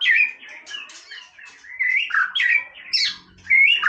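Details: Casual song of a white-rumped shama: quick chattering and warbled whistles that swing up and down, grouped in lively bursts separated by quieter passages.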